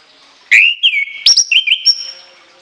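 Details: Shrill whistled phrase from an orange-headed thrush, with long fill elements: a loud slurred whistle, a sharp upward flick, then wavering mid notes ending in a clear high sustained tone.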